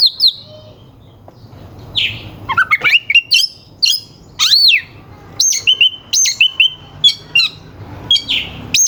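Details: Oriental magpie-robin song used as provocation for rival birds: sharp whistled notes, rising slurs and buzzy bursts in loose phrases, with short gaps, over a soft low hum.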